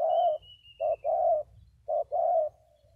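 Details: Spotted doves, two decoy birds, utter steady low coos, a brief note leading into a longer hoarse one, repeated at an even pace; a thin high whistle drifts across the opening second.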